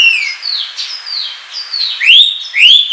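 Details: Kacer or Oriental magpie-robin singing 'ngobra' style, played as lure and tutor song: a run of clear descending whistled slurs, then two loud rising upswept whistles, each with high overtones.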